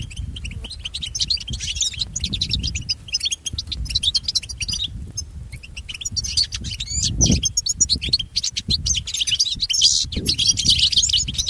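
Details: Goldfinch song meant to train pet goldfinches, a busy chorus of rapid high chirps and trills overlapping continuously, with occasional low thumps and a constant low background hum.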